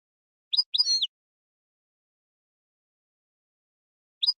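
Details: A European goldfinch, in a recording meant to stir a royal goldfinch into singing, gives a quick burst of bright, tinkling, high twitters, falls silent for about three seconds, then starts another short phrase.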